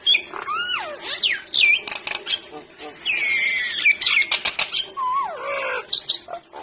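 A Nias hill myna gives loud, varied whistles: rising and falling swoops, harsh rasps and clear ringing notes in quick, uneven bursts.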